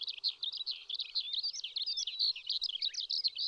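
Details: Wild Eurasian skylark singing in May on a riverbed in the Shin'etsu region of Japan: a dense, unbroken stream of rapid, high chirping and trilling notes, tumbling without pause.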